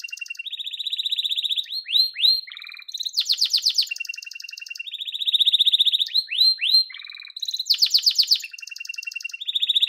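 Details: Yellow domestic canary repeating a song phrase twice: a long rolling trill, a few falling slurs, a low buzz, then a loud rapid chatter, before the sequence starts over.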